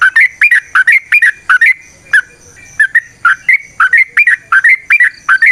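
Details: Sooty-headed bulbul (trucukan) song for luring and training other trucukan: quick rising-falling whistled phrases in a steady bubbly series, a short pause midway, over a clean quiet background.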